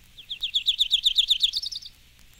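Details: Myrtle Warbler (Yellow-rumped Warbler), one of eight example songs: a loose, high trill of about a dozen sweet slurred notes over a second and a half, rising and quickening at the end.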